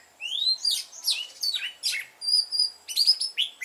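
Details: Red-whiskered bulbul used as a lure, singing to incite fighting song in a mountain-forest voice; a lively string of rising slurred whistles and sharp descending chirps repeating roughly every half second.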